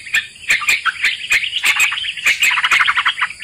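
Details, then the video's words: Bulbul lure recording used to trap sooty-headed bulbuls: busy, warbling chatter of overlapping notes, punctuated by sharp clicking taps, over an unbroken thin electronic whine. "Pikat trucukan"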